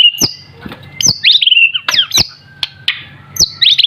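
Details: Young white-rumped shama, still in juvenile plumage, singing in the continuous gacor style. Sharp high whistles slide downward, broken by loud clicks, over a low steady hum.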